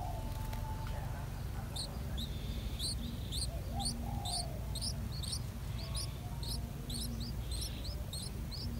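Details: Yellow-vented bulbul (Pycnonotus goiavier) chicks, 7 days old, beg in the nest as the mother feeds them, giving rapid, thin, high-pitched cheeps in quick bursts of several per second, over a steady low rumble.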